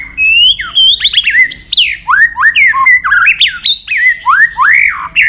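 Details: White-rumped shama, Medan type, pouring out loud nonstop song with a full set of mimicked phrases: high arched whistles, quick rising slurs and repeated swooping notes with hardly any pause.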